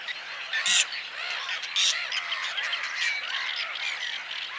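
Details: Whiskered tern giving two strong rasping, grating calls about a second apart, set against a constant backdrop of many softer, overlapping chirping and chattering calls from other birds.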